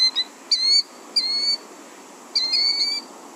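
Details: Killdeer; alarm call; alarm when someone approaches its ground nest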